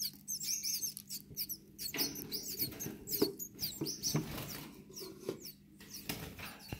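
Gouldian finch chicks give a busy chatter of thin, high squeaks and scratchy peeps in quick bursts, over a steady low mechanical hum.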